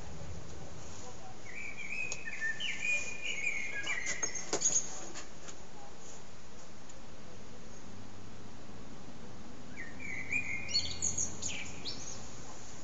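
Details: Common blackbird perched on an antenna, singing through nearly three hours with small breaks; two fluted, warbling phrases with high squeaky endings separated by a long quiet gap, plus a few clicks.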